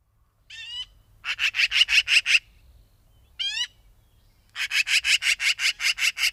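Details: Magpie giving a harsh, rapid rattling chatter. Short bursts of about seven dry, evenly spaced notes alternate with brief squeaky, rising harsh calls. The background is otherwise quiet.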